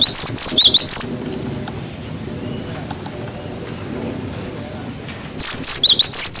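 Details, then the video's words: Wucit wucit song from a cinereous tit, intended to tutor young birds: a fast string of pure, wavy whistles, then a long pause with faint background noise, then the rapid alternating high-low phrase resumes. "Masteran glatik batu wucit wucit"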